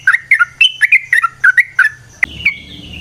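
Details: Short excerpt of sooty-headed bulbul lure song in variasi style: about eight clear, bubbly two-note chirps at varying pitches, then a sharp note and a higher drawn-out whistle.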